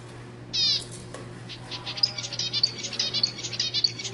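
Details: Zebra finch song aimed at prompting females to mate: a loud nasal, harmonic call opens, followed by a quick series of short sharp chips and buzzy notes repeated roughly twice a second.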